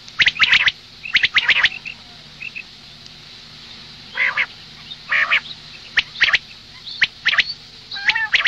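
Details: Morning calls of a female common quail. Clusters of sharp, clicky rasps alternate with brief, slightly lower buzzy notes and faint high peeps, spaced at uneven intervals, with steady low hiss behind.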